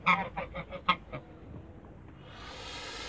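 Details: Toulouse geese, a couple kept in a backyard and called wild, give a short string of six or so nasal honks over the first second, followed by a steady hiss of background noise.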